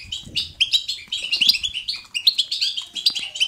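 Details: European goldfinch kept as a pet, singing in lively natural fashion: quick bursts of sharp, tinkling twitters and short slurred notes, uneven in rhythm.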